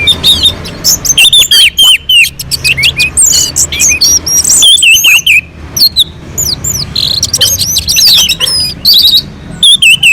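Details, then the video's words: On a mountain slope, an orange-headed thrush delivers a melodious, constant song meant to provoke other birds into singing. Dense, varied high whistles, slurred notes and rapid chirps run almost without pause for ten seconds. "kicauan anis merah sangat merdu dan gacor untuk pancingan"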